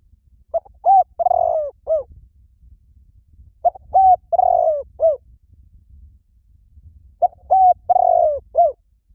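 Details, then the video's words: Spotted dove calling to lure birds, its far-carrying coo a phrase of short notes around a longer drawn-out coo, repeated three times about every three and a half seconds over faint low hum. "Tiếng Chim Cu Gáy Gọi Hay Vang Xa . kích mồi cực hay"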